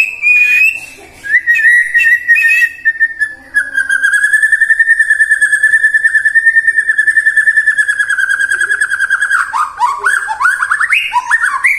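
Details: Song of a white-rumped shama meant to prompt singing in morning, midday and afternoon: opening whistles, a long rapidly pulsing steady whistle, ending in quick varied rising and falling whistled phrases.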